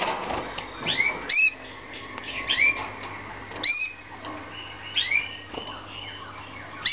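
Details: Romanian Slavujar canary at a breeding aviary in 2014 singing sharp rising whistled notes in irregular groups, some doubled, over a constant low hum and faint room noise.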